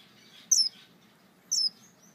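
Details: A male star finch calling for his mate gives two thin, high, slightly falling notes about a second apart, each sharp and brief, over a faint low hum.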